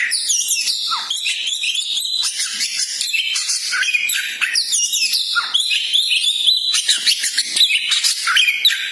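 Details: Champion-temperament magpie-robin song meant to rouse a kept bird: continuous varied whistled phrases, quick slurred notes and harsh chatters tumbling without pause, with a few lower swooping whistles.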